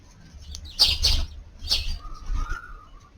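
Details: Three short, harsh chirps from a tree sparrow under a garden's eaves around midday on New Year's Eve, 31 December, two close together and one a moment later, over a low background rumble and a faint thin whistle.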